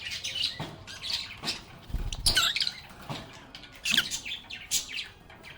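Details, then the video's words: Several pet lovebirds singing and playing; quick high chirps broken by short harsh squawk bursts, one loud squawk cluster near the middle, plus a dull low thump and faint rustle. "Lovebirds agapornis sounds"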